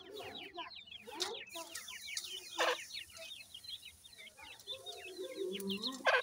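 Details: Grey francolin chicks call in a rapid, continuous patter of high, falling peeps from many birds, with lower warbling notes near the end and a few sharp clicks.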